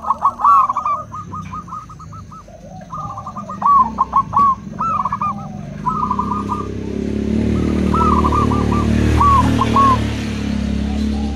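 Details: Zebra doves, local and crossbred, answering each other with rapid stuttering coo phrases, one after another. Rumbling engine noise swells in the second half and partly covers the later phrases.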